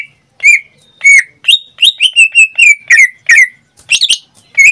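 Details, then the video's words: Pet greater green leafbird singing nearly every day, delivering a lively series of clear whistled notes, many sliding downward, repeated in quick succession with brief pauses. "Suara cucak ijo suaranya tidak diragukan lagi"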